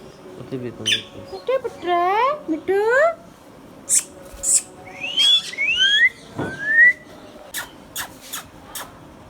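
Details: Hand-tame pet Indian ringneck parakeet talking indoors: a run of rising, harmonic-rich whistled and speech-like phrases, then short upward-sweeping whistles, with sharp clicks near the end.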